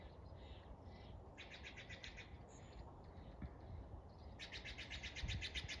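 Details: Bird heard under iridescent clouds: two bursts of fast, high, rattling chirp series, one early and a louder one at the end, separated by quieter scattered notes, with steady low background rumble throughout.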